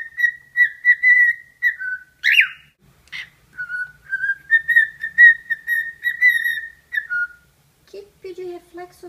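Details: Cockatiel singing at its reflection in a suitcase, a warbling whistled tune of short repeated notes with a brief squawk. A low voice is heard near the end.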